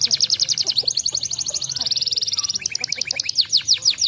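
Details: Canary song for prompting other canaries to sing: a dense, very fast high trill held for seconds, shifting into quicker downward-flicking notes.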